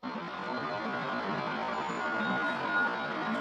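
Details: A steady wash of soft background music with faint plucked notes and no animal voice. No calls, songs or croaks stand out from the even, blended sound.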